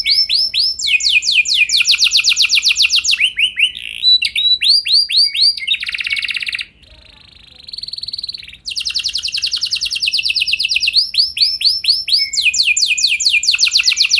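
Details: Canary song for training other canaries: fast rolls of repeated notes and arched whistles, interrupted midway by a steady buzzy tone and a brief quiet gap, then renewed rapid trilling.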